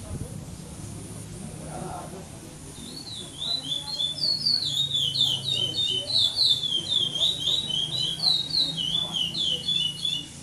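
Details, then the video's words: Chestnut-bellied seed finch (curió), a caged competition bird at a 2014 Maranhão singing tournament in São Domingos do Maranhão, Brazil, second in pardo song without repetition. After a few seconds of low hum, a long, rapid series of high looping whistled notes starts. "CURIÓ PARDO"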